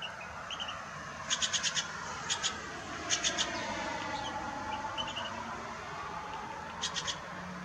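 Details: A Steller's jay at Cranberry Lake, 22 April 2018, gives short bursts of three to five harsh, rapid notes, repeated a few times, over a steady rushing background.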